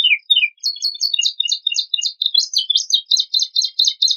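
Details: Domestic canary singing a varied filler song meant to spur other birds into song: falling chirps followed by a long run of quick, rolling, repeated warbled notes.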